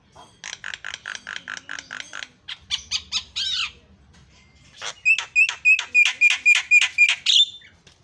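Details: Lively black-winged starling in a tutor/lure recording: harsh, rasping chatter notes repeated about four per second, then a burst of scratchy notes mixed with short clear whistles.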